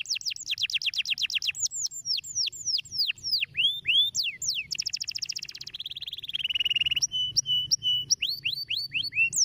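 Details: Canary song of rapid descending whistled notes, then a dense buzzy roll and lower sustained trill, ending with clear downslurred whistles; varied tour structure with short pauses between phrases.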